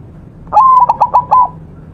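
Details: Perkutut, a white zebra dove kept as a master singer, delivering a single phrase: an abrupt start, steady whistled coo, three or four pulsing hiccup notes, then a sustained ending tone.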